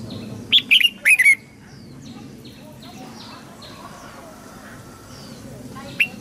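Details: Red-whiskered bulbul voice used to train young birds and prompt wild-caught birds to sing: one quick burst of warbled, slurred notes near the start, then a faint single note at the end, with a low murmur behind.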